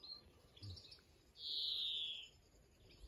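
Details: European greenfinch giving a single drawn-out buzzy wheeze that slides gently downward, heard fairly faintly over soft outdoor background noise.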